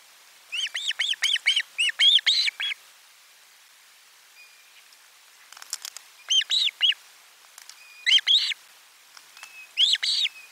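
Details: Osprey at nest camera 4, midday fish delivery on 12 July 2022: a long excited run of about ten arched whistled notes, then three shorter groups of two or three chirps spaced about two seconds apart.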